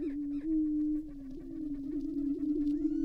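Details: Greater prairie-chickens on a lek at Tympanuchus WMA, northwest Minnesota, on a cold 29-degree early morning in April 2019, with males displaying and fighting, boom in a steady low hollow moaning drone, with fainter higher whoops and cackles early on.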